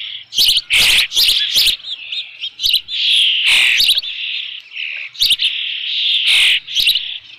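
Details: Nesting Osprey with a fish, Dunrovin Ranch, June 2018, just after 5 PM; bursts of strident, high cheeping, some long drawn squeals, others clipped and fast, with sharp clicks between.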